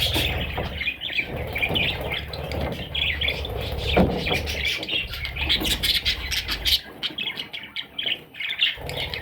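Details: Baby parrots chattering with rapid, high, scratchy chirps that run almost without pause, over a steady low rumble and scattered clicks and knocks.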